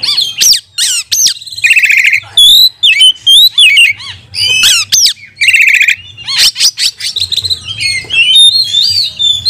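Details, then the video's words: Fiery Oriental magpie-robin song used to train and provoke rival magpie-robins; a dense medley of sharp whistled slurs, rising and falling sweeps, buzzy trills and harsh notes, delivered loudly with barely any pause. "Pancingan kacer gacor nembak untuk melatih kacer"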